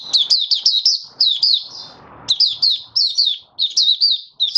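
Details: Mata Puteh Raja, an oriental white-eye, in open song five days after monthly deworming, 20 January 2022: bright, high, wavering twitters in tight repeated groups, a brief pause midway, then the phrases resume at the same fast pace.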